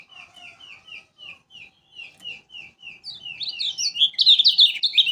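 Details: Lombok yellow flowerpecker used as a lure: a string of soft, evenly spaced downslurred chirps about three per second, building into a loud, rapid, tumbling run of high sliding notes.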